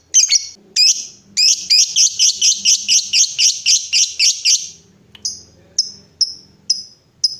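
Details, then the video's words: Lovebird in a ngekek prompting recording: a couple of sharp chirps lead into a quick stuttering trill of about three seconds, followed by isolated high chirps at steady half-second gaps. "Love Bird Biar CEPET BUNYI! 7 Hari Langsung Ngekek Panjang"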